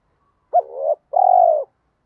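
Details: Spotted dove coo used to stimulate caged doves to call: one low hooting phrase, a brief sharp note sliding into a wavering murmur, a short pause, then a longer steady throaty hoot that fades out. No other sounds.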